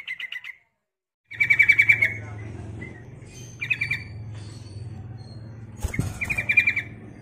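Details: Yellow-vented bulbul, a female calling to males as a lure, giving bright, bubbling chattering bursts every second or two, each about half a second long, over a low steady hum.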